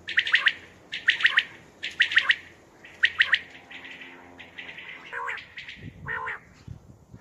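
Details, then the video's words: Common quail, possibly female, calling at night, repeating a sharp, liquid three-note 'wet-my-lips' phrase about once a second, followed by rougher, lower chirps from other birds; used for quail hunting. "Common Quail sounds batair sounds for hunting batair ki awaz night بیٹر کی آواز رات کے وقت"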